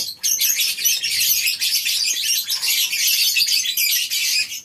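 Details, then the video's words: A morning colony aviary of lovebirds, a brief quiet opening before a flood of shrill, rapid chirping from many birds, continuing strongly to the end. "Suara Love bird"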